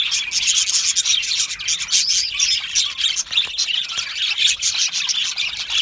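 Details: Colony of Australian budgies in an aviary, happy singing and chirping: busy, unbroken high-pitched chatter of many birds mixing squeaky chirps, warbles and short rasping notes.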